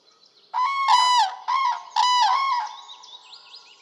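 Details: Trumpeting Common crane recorded in Poland: three loud, resonant bugling notes follow in quick succession within two seconds, then fade into faint distant calls.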